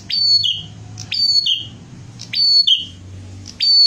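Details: Bar-winged prinia in lively song, repeating a bright phrase of a high sharp note dropping into a slurred whistle roughly every second, with a steady low hum behind.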